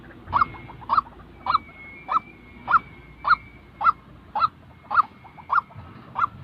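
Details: Real white-breasted waterhen call for training trapping decoys: eleven harsh honks repeated about every half second, with a thin, steady high whistle running underneath at times.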